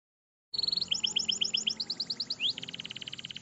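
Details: Canary singing a long rolling song, used as a lure to help young canaries learn to sing: high fast trills, a rising sweep, then a steady buzzy rattle of rapid repeated notes, after a brief silence at the start.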